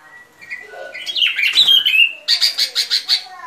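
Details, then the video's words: Sooty-headed bulbul song used to lure birds into traps: a quick slurred whistled phrase followed by about eight rapid, evenly pulsed chattering notes. "Tiếng Chim Bông Lâu Mồi Chuẩn"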